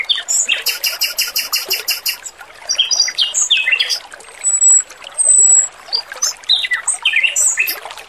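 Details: Training recording of a male Oriental magpie-robin singing over trickling water: a rapid buzzy rattle opens, followed by assorted short whistles, chirps and two thin, very high drawn-out notes.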